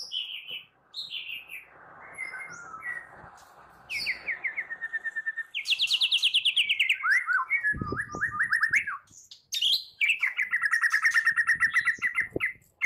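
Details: Morning singing of a white-rumped shama, a lure to make shamas sing: whistled phrases, long stretches of quick repeated notes, a rough chattering burst, then a steady, rapid run of repeated whistles.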